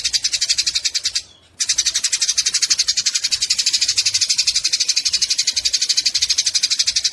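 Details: Scolding, rapid high chatter of Eurasian tree sparrows fighting, one short silence early on, then an unbroken string of even buzzy pulses.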